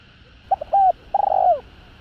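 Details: Rival-provoking call of a spotted dove: brief clipped notes and a clear sustained note, followed by a long purring coo that glides downward at its end, over a low hum.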